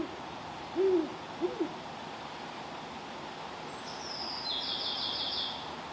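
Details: A great horned owl, met on an evening walk, gives two deep, soft hoots about half a second apart, followed by a faint high buzzy trill in the background.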